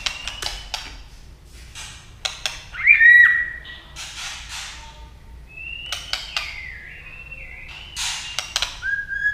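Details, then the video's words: Female white-rumped shama singing to excite males, mixing sharp dry clicking notes with loud slurred whistles that rise then level off, and a long wavering whistled phrase stepping up and down, in a small room. "chòe lửa mái hót kích trống. tiếng chòe lửa mái tạch kích chim lên lửa nhanh nhất"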